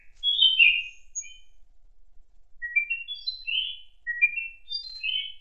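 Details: Thrush song in an autumn forest: short, clear whistled phrases, some falling and some rising, given in bursts about a second apart against a quiet background.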